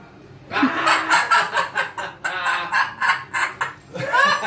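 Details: Amazon parrot chattering a rapid run of about a dozen short, harsh, cackling syllables, like laughter or babbled speech, with a rising tonal note at the end.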